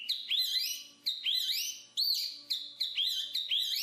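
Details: Jongkangan, the black-capped babbler, singing a run of rich whistled phrases, each rising then dipping, repeated about twice a second in a steady chain with a quiet background.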